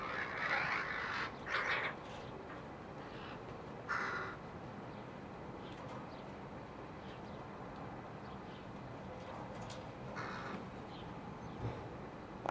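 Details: Rooks and their chicks recorded in July 2021: a couple of quick harsh caws at the start, a lone rasping call a few seconds later, then a long quieter stretch with one more distant caw near the end, over background hiss.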